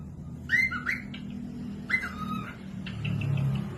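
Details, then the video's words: Cockatiel tutoring song: two falling whistled phrases about a second and a half apart, then softer notes, over a low background hum. "Cocok buat pemasteran falk yang malas bunyi langsung nyaut pemasteran cockatiels"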